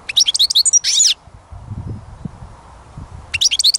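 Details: Goldfinch singing in a songbird-catching setting: a rapid liquid twitter of high chirps and a buzzy note, then a quiet gap with low rumbling, before another bright twittering burst begins.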